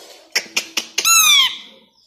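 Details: Tame three-year-old male plum-headed parakeet indoors: four short clicking ticks in quick succession, then a drawn-out, high descending screech lasting about half a second.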